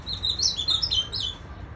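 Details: A captive ultramarine grosbeak in Goiás, Brazil, recorded on 2 January 2021 around 6:15 pm near dusk, sings a brief, high, warbling phrase of sliding whistled notes lasting about a second and a half, over faint low background hum.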